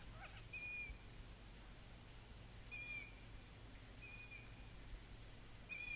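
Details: Long-eared owl chicks in July 2020 in Slovakia whistle to call their parents for food; sharp high squeaky whistles come in separate bursts roughly every one to two seconds over faint background hiss.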